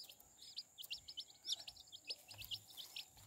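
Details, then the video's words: Domestic chicks beside their mother hen, giving dense, high, downslurred peeps that overlap rapidly, about two per second and often faster, with a faint low hum behind them. "Baby hen sound | Chicks chirping sounds"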